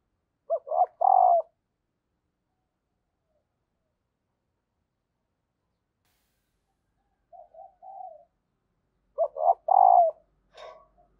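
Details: Female spotted dove calling to excite males into cooing: a husky phrase of short notes rising into a long coo, a long silence, a soft pair of coos, then the same loud phrase repeated.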